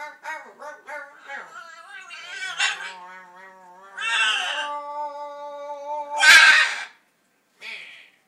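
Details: Macaw named Gizzard attempting to mimic speech: a hoarse, human-like voice giving a run of short syllables and a drawn-out word, ending in a harsh raspy squawk.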